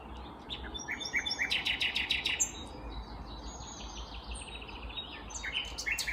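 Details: Common nightingale, a vagrant, singing in the morning at Kvarnbo near Uppsala, Sweden, in May 2021. A dense run of fast repeated chips and short whistled notes gives way to quieter scattered trills over a constant low rumble.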